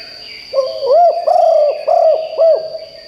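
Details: Loud calling from a decoy spotted dove, used to provoke wild birds: five mellow coos in a row, the first short, the middle ones drawn out, each bowed in pitch, over a faint high whine.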